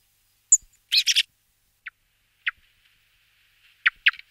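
Song thrush giving short, bright, sharp notes and a quick doubled phrase, separated by brief pauses, against a quiet background.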